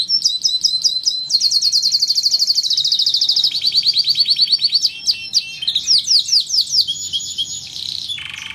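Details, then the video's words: Canary song used as tutoring material (masteran) for starlings and other chattering songbirds: fast, continuous high rolling trills of rapidly repeated chips, shifting between trill types with brief buzzy sweeps, loud and unbroken throughout. "Materi kenari cocok buat masteran jalak dan burung ocehan"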